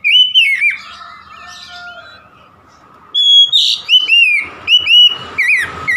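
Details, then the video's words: Oriental magpie-robin song used to get a stressed bird of its kind singing again: an opening whistled phrase, a long quieter stretch with a steady faint tone, then a run of loud, varied, slurred whistles. "DI JAMIN KACER SETRES MACET BUNYI LANGSUNG GACOR"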